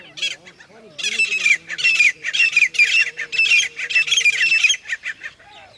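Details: Grey francolin calling: loud, harsh, buzzy notes repeated in a rapid series of about two a second, starting after a second of quieter low tonal sounds that run beneath the first bursts.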